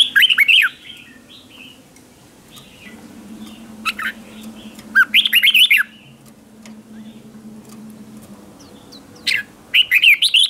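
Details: Lure red-whiskered bulbul singing competition-style to call wild birds: several spaced bursts of lively, tumbling whistled notes, separated by longer quiet stretches holding soft faint warbles and a low steady hum.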